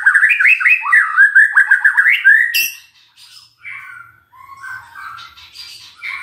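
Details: Magpie-robin song played as a lure to draw an answer from a silent bird, a loud fast run of slurred whistles, then a sharp note, followed by softer scattered whistled phrases.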